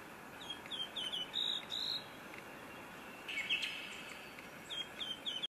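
A pink robin gives thin, high chirps in short quick runs, a brief buzzy note between them, over a steady background hiss.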